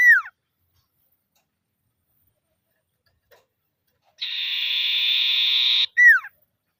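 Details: Common iora calling to rivals. A sharp descending whistle opens, then silence, then a long steady buzzy trill, and another quick falling whistle closes the sequence.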